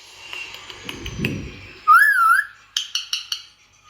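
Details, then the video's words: Indian ringneck parrot gives a single clear, wavering whistle, then a short run of four sharp, rapid chirps, with faint low rumbling indoor background noise beforehand. "Indian Ringneck Parrot Sound"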